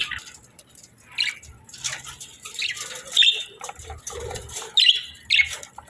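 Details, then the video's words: Quiet budgerigar chirps come in scattered short notes, a few bright squeaks standing out over soft background rustling. "Budgies Chirping Sounds"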